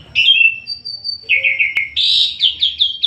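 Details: Asian pied starling singing vigorously (gacor): a long falling whistle, then a run of buzzy, slurred notes stepping down and a bright warbling burst of repeated chattering phrases.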